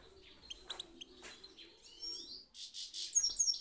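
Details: European goldfinch song played to get birds singing; scattered sharp chirps, then a sliding twittered phrase, a short silence, and loud piercing tweets at the end.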